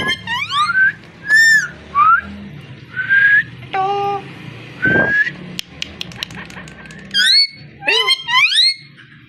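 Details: A parrot voices a lively mix of rising whistled notes, short harsh bursts and buzzy upward-sweeping calls, about a dozen sounds in nine seconds separated by brief pauses, with a low background hum.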